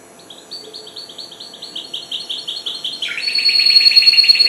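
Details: Goldfinch hybrid aged four months, newly singing: quick chain of repeated high twittering notes that builds in volume, then shifts into a fuller, buzzier warbled stretch.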